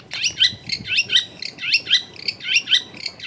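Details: Long-tailed shrike singing vigorously, recorded at home in a densely populated area to prompt a reluctant bird to sing; a harsh, squawky upslurred note repeated a little over once a second in a steady rhythmic series.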